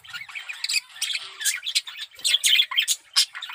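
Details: Male budgerigar in strong breeding condition, chattering rapidly: dense scratchy warble of squawks, clicks and short chirps in uneven bursts, with brief pauses between phrases.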